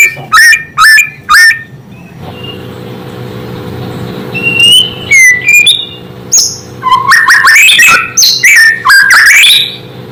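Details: White-rumped shama natural song, meant to stir other shamas: three quick bursts of chirps, a long quiet stretch with low hum, a few clear whistles, then a lively run of varied warbled and whistled notes.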